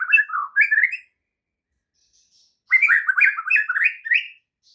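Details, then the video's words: Morning training song of a white-rumped shama, used to spur other shamas into full song: a short series of rising and falling whistled phrases, a silent gap, then a longer string of bright, rising, warbled notes. "MASTERAN Murai Batu PAGI INI mampu buat Murai Batu MACET TOTAL jadi GACOR NGAMUK seketika"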